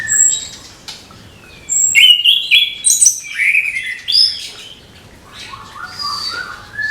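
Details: Orange-headed thrush in morning song, meant to motivate young thrushes: after a quiet start, bursts of slurred whistles and fast chattering notes, then softer rising phrases with high thin tones around them.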